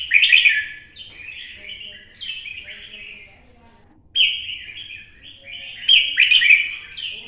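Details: Red-whiskered bulbul, an old wild-caught bird from the forests of Quảng Nam, Vietnam, sings bright warbled phrases of slurred, up-and-down notes in two bursts separated by a short pause.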